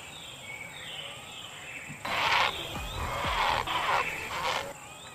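A heron gives three harsh, hoarse squawks in quick succession over about three seconds, with faint whistling birds and a steady high insect hiss behind.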